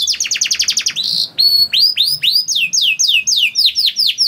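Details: Canary lure song to set off other canaries: a fast series of falling notes, a brief buzzy note, then loud rising-and-falling whistles about three per second.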